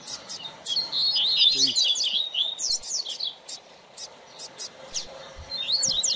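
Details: Teacher double-collared seedeater for training young birds, singing a rapid, high twittering phrase of slurred notes for about two seconds, then scattered clicks and a short high trill near the end.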